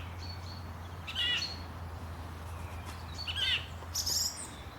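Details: Morning bird chirping at Langley Park, Durham: three short, high chirped phrases, each a quick tumbling twitter, spaced about a second or more apart over a constant low hum.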